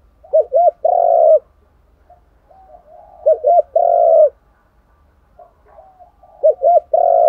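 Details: Spotted doves, cock and hen, calling as decoys to stimulate trained birds. Three phrases of two quick notes leading into a sustained, mellow coo, with faint quiet cooing between them.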